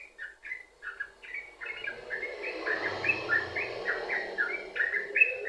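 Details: Yellow-vented bulbul in lively continuous sambung ropel song, meant to prompt other bulbuls to sing: bubbly paired chirps rising and falling in quick succession, with a faint low hum in the background midway.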